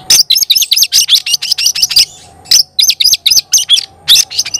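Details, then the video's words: Oriental magpie-robin singing vigorously to rile up other magpie-robins, delivering quick runs of sharp, rasping chirps in tight rhythmic series, with a short gap before the next run. "Kacer gacor bikin kacer ngobra KONSLET"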